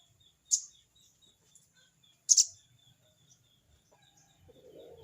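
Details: Sogon calling a rival with a harsh 'crecet' call: two sharp, high, rasping bursts, then faint low rumbling at the end.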